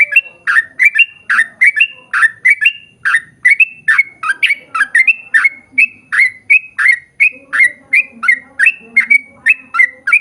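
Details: Yellow-vented bulbul singing a long ropel run as a lure for other bulbuls; sharp chirps repeated nearly three per second, some doubled, over soft low warbling in the background.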